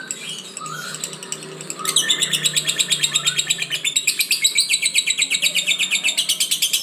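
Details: Lovebird kept as a pet bird, described as "gacor bocor" (singing nonstop): after quiet scattered chirps, a loud run of rapid, sharp, high chirps starts near two seconds and repeats steadily, almost three notes per second, to the end.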